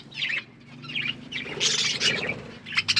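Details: Pet budgerigars calling as they feed: short warbled phrases repeated roughly every half second, a louder scratchy burst in the middle, then quick sharp chirps, over light background hum.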